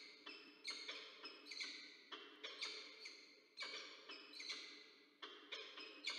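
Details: Peregrine falcon pair greeting at a nest in Orange, New South Wales, Australia, on 6 April 2024, recorded by a nest camera. Rasping, clipped notes are repeated in uneven clusters, each fading quickly, over six seconds.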